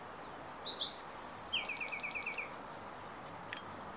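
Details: Bewick's wren song from Carmel Valley, San Diego, 15 April 2019: short high introductory notes lead into a rapid buzzy rattle and a falling series of crisp notes. A brief sharp click follows after a quiet pause.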